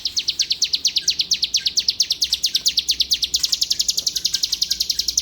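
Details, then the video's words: Bar-winged prinia (ciblek), a prized songbird from Palembang, delivering a fast run of high, sharply falling chip notes, about eight per second, steady and loud throughout, the notes shifting slightly higher partway through. "CIBLEK GACOOR"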